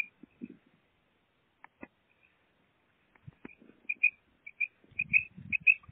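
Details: Pet female common quail, kept caged, giving short high thin notes, sparse at first and then repeated in quick bursts near the end, with soft low thumps and handling noise in between.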